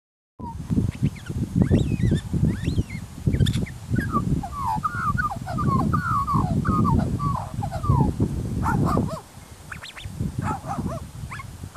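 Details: A wild Australian magpie in Busselton, Western Australia, mimics a barking dog with rough, yapping barks in quick irregular bursts.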